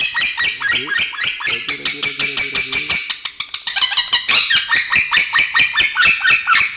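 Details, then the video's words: A male lovebird chatters with strange, unclear sounds in fast, scratchy, high-pitched bursts. A low droning tone runs beneath the first half, and the chatter grows louder and denser after about three and a half seconds. "Masteran love bird suara aneh"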